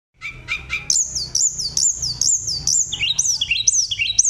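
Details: Sunda robin singing vigorously in a flute-like, rolling style, used to stir other birds into singing: three quick buzzy notes, then a run of high whistled phrases every half second, ending in lower looping whistles.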